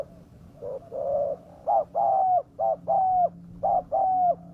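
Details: Repeated spotted dove cooing, used as a lure to bring wild doves down. Short notes alternate with longer, level, slightly drooping coos, about one a second, over a faint low hum.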